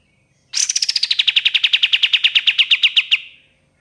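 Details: Ashy tailorbird song used as a lure: one rapid trill of sharp, evenly spaced notes, starting high and sliding slightly lower, then holding steady for about three seconds before stopping abruptly in a quiet background.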